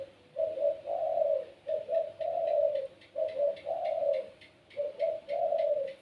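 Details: Kept puter pelung dove with a gacor voice, singing repeated low coo phrases: two short notes then a long rolling coo, about every one and a half seconds.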